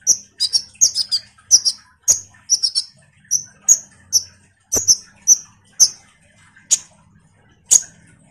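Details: Common iora in energetic chattering song, used as a lure to make kolibri ninja birds respond: sharp high chips and short downslurred notes in quick bursts, then spacing out to single chips about once a second.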